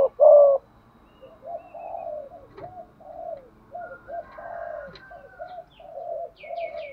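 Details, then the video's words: Spotted dove decoy bird giving urging coos meant to stir wild doves: one loud short coo, then a long run of softer, lower hollow coo notes, with faint high chirps near the end. "chim cu mồi gù thúc bổi nghe là chơi ngay/ tiếng chim cu gáy mồi giọng bài bản"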